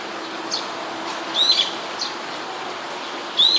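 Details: Brown-eared bulbul recorded on a camera microphone in Sumida, Tokyo, 21 May 2017: short piercing high whistled notes, each sliding slightly, spaced about two seconds apart, with faint softer chips between them.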